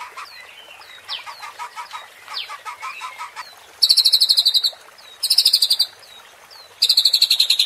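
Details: White-rumped shama (murai batu) provoking song, played to rouse fighting spirit in contest birds: scattered thin upslurred whistles and short trills, then three loud buzzy rattling bursts, each about a second long.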